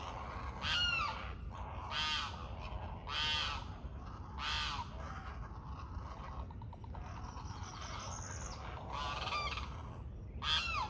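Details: Great blue heron youngsters at feeding time, recorded live: harsh, raspy squawks in bursts about every second, with a limpkin screeching in the background over a steady low rumble.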